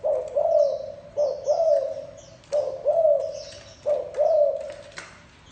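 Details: Rhythmic cooing from a spotted dove, paired hollow notes repeated about every one and a half seconds, with scattered high twittering from other birds in the background.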